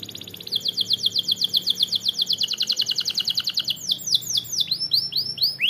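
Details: Canary singing to provoke rivals: a fast rolling trill of high, evenly spaced sweeping notes for about three seconds, followed by louder, slower descending whistled notes, with a faint low hum beneath.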